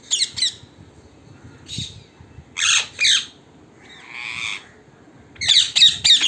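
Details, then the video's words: Wild parrots at an evening gathering by a house, loud harsh squawks in short clustered bursts with quiet gaps between, one softer grating call in the middle. "Wild parrots in our home(evening meeting)"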